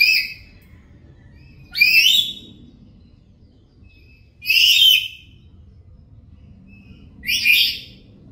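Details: Vocal black-capped lory at home, recorded as a tutor and lure track: four rasping screeches come about every two and a half seconds. A faint low background rumble continues throughout.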